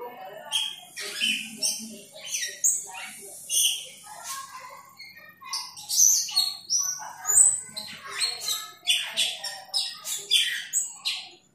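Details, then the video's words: Asian glossy starling challenging a rival with a long run of loud, grating squawks interspersed with sharp whistled chirps, delivered in quick irregular bursts. "Cucak Keling memanggil lawan CK"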